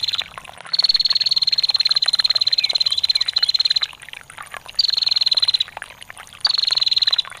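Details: Long ngetir call from a female bar-winged prinia: a sustained, high, machine-gun trill of over three seconds, followed by two shorter trills, over a background of trickling water.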